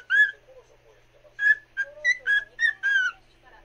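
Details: Pet cockatiel singing to another cockatiel: a clear whistled note, then a run of short, bright whistles rising and falling in a rapid melodic phrase, with faint softer twittering between.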